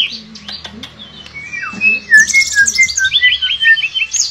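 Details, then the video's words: Tledekan pring, a shortwing, singing in the style called nembak and ngerol: soft lower notes at first, then a run of crisp, evenly spaced descending whistles. "Terapi BURUNG TLEDEKAN PRING gacor nembak dan ngerol"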